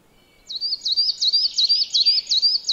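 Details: Coal tit at a yard in Joroinen, Finland, giving a fast series of high, squeaky two-note phrases, seven in under three seconds, evenly spaced and bright.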